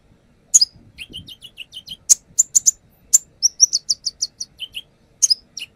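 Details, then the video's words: Konin, the brown-throated sunbird, singing through its repertoire as a lure: series of quick high tweets, alternating short rising and falling notes, strong sharp chips, and a brisk run of evenly spaced bright whistles. "AKSI KONIN NAGEN BONGKAR ISIAN | Pancingan konin"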